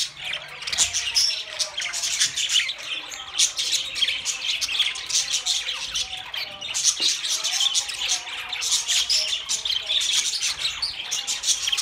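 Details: Several budgies calling together in a steady, busy chorus of shrill squawks, chirps and warbling twitters, unbroken for the whole stretch with many overlapping birds.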